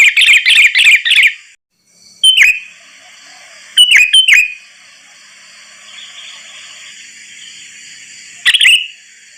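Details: {'caption': 'Sooty-headed bulbul calls played as a trapping lure: a quick string of four bright notes, then pairs and singles of sharp chirps with sustained tails, spaced irregularly, over a soft steady hiss.'}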